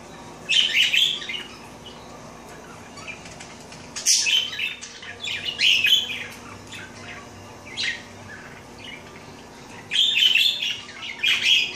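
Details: Pet female parakeet bathing indoors while her whitish mate briefly dips in; bright, scratchy chirps in short bursts every second or two, separated by quiet gaps, with one sharp broadband burst near four seconds.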